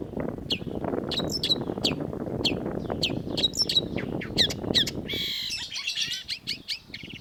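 Long-tailed shrike giving sharp, high chirps in quick, uneven bursts, then a harsh scratchy squawk and a run of varied notes, over a low rumbling background.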